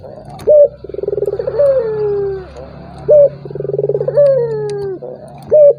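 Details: Turtle dove giving its rival-provoking call for an opponent unwilling to call: sharp high notes bracketing two phrases of rapid pulsed trilling and falling coos, over a steady low mechanical hum.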